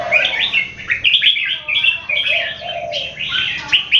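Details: Caged red-whiskered bulbuls raised in Singapore, matched in a keke singing battle. Lively strings of rising and falling chirped notes, closely packed, with a low murmur of notes beneath.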